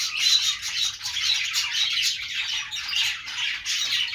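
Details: Budgerigars chirping: a dense, continuous wash of scratchy, high chatter and squawky notes from several birds at once, swelling and dipping in loudness without pause.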